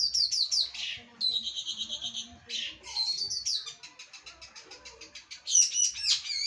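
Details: Trained long-tailed shrike delivering varied 'gacoran' song: quick descending slurs, a steady high buzzy trill, and a fast run of clipped chips ending in sharp upswept notes.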